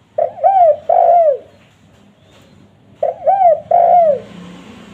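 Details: Spotted dove call used by trappers to lure wild doves in forests and gardens: two bursts of clear, low cooing, each with three notes, the last a longer coo that slurs downward, repeated about three seconds apart.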